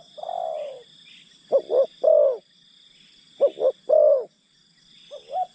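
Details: Decoy spotted dove luring wild forest birds: a long falling coo, then two phrases of two clipped notes plus a drawn-out descending coo, with a constant high insect hum behind.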